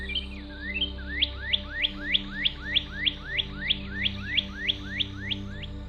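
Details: Northern Cardinal (Cardinalis cardinalis) song: a fast series of about sixteen clear, slurred whistles, each sweeping sharply, roughly three per second, over a low steady hum.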